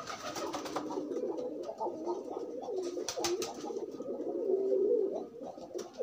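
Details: Several pigeons pairing in the open coo together: a dense, continuous mix of low burbling coos with overlapping phrases and a slightly louder close coo near the end.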